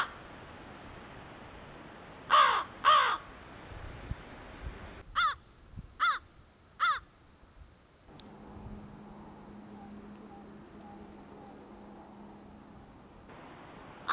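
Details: Young crow, newly fledged to almost juvenile and learning crow language, gives two harsh caws, then four shorter, clipped caws in quick succession, followed by quiet background hum.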